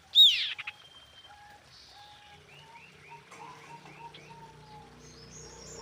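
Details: Female common iora calling to the male, used as a lure: one loud sharp chirp at the start, then soft short whistled notes and clipped chips scattered through the rest, fairly faint overall.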